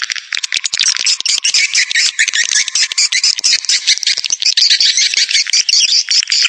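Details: Swiftlet attraction sound: continuous high, rasping chatter of many overlapping chirps and squeaks, steady in loudness, with quick tick-like pulses threaded through.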